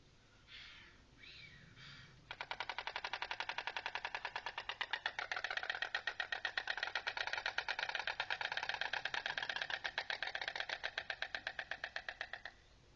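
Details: White storks reuniting at their nest at a rescue station in Makov, Czech Republic, on 20 September bill-clatter: a fast, dry, wooden rattle of rapid knocks lasting about ten seconds, after a few faint sounds beforehand.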